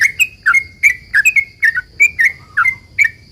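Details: Frequently singing sooty-headed bulbul delivering a long rapid song used as a lure for other bulbuls: tight, even run of bubbly two-tone chirps, roughly three a second, accompanied by a constant thin high-pitched tone.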